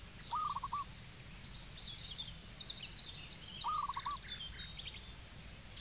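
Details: Zebra dove in Cambodia giving two short staccato cooing phrases, a quick stuttered run of soft notes about three seconds apart, while other birds chirp and trill busily in the high background over a steady low hum.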